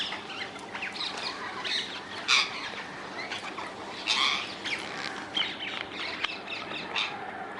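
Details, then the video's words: Several wild rose-ringed parakeets in the Netherlands give harsh, high screeching squawks at irregular intervals, loudest near the middle, over a steady hiss of background chatter. "Indian ringneck parrots in the wild, ringneck parakeets sounds"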